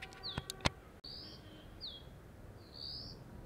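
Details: After a few sharp clicks and a knock, a Dark-grey bush chat on a deodar twig at Jabbarkhet sanctuary, western Himalaya, gives loud high calls: a level whistle, a falling slurred note, then a longer rising whistle.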